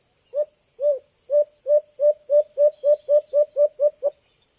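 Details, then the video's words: A young White-eared Brown Dove (alimokon) in Antipolo, used as a lure sound for bird trapping, gives about twelve low, hollow hoots that start spaced and speed up into a quick even series. "Huni ng Ibong Alimokon | White Eared Brown Dove"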